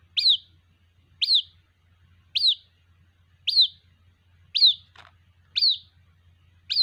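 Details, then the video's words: White-breasted waterhen chick calling its mother, repeating a shrill, high falling chirp about once a second, seven times, with one brief click between calls and a low hum. "Suara anakan Burung Ruak Ruak, memanggil Induk Ruak"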